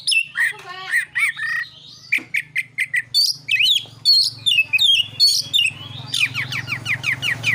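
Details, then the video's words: Narung-style fighting song of an Oriental magpie-robin used to stir rivals into singing: scratchy trills and whistled swoops, a series of quick repeated chips, then rapid descending notes over a steady low hum. "KICAUAN KACER NARUNG"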